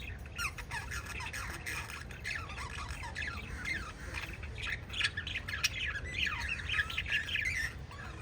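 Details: Pet budgerigars, five in a family group, keep up a steady stream of short rising chirps, descending squeaks and warbled chatter against low background noise.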